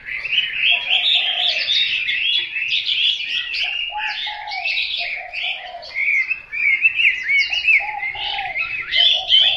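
A Chinese hwamei pours out a loud, unbroken run of varied whistles and rich warbled phrases, with lower mellow notes woven between the bright high ones.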